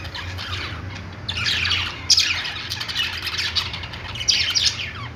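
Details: Pet-store budgerigars giving a busy mix of harsh squawks and quick rising chirps, which build after a quieter start, over a faint constant low drone.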